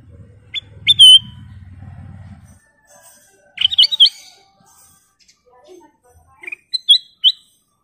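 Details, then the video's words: Black-crested bulbul (kutilang emas) with scattered bright whistled notes and short slurred phrases, spaced irregularly; a low rumbling noise fills the first two seconds. "Kicau Burung Burung Kutilang Emas Gacor full isian"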